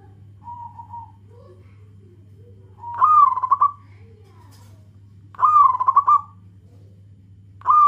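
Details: Local zebra dove calling companions: a soft, flat coo, then two loud rolling phrases of rapid pulsed notes about two and a half seconds apart, with another starting at the end.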